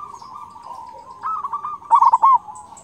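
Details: Local zebra dove in full song with a big voice and strong 'kung' note, kept as a master song to train quiet doves: soft steady cooing near one pitch, then a louder burst of rolling, bubbling coo notes toward the end.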